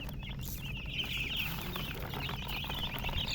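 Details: Chorus of chicks chirping, dense high shrill peeps crowding together and growing busier toward the end, with a low mechanical hum underneath.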